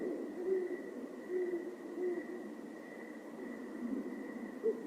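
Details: Adult male and female great horned owls hooting back and forth in courtship, higher-pitched female and lower male: soft deep hoots about a second apart, one higher near the end, over a steady insect drone.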